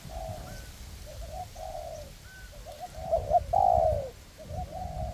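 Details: Forest test of two spotted dove trapping decoys, one perched and one on the ground, calling to lure wild doves. A steady string of mellow coos with one louder, longer phrase in the middle.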